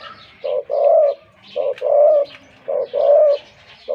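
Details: A wild-caught spotted dove kept as a decoy bird, noted for its big voice, gives a deep, mellow coo: a short note then a longer rolling one, repeated about every 1.25 seconds.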